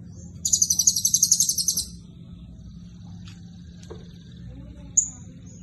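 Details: Actively singing Blue-crowned hanging parrot with 'isian cililin' filling: one long, fast, shrill pulsed trill of about twelve notes, followed by faint ticks and a single sharp high note, over low hum.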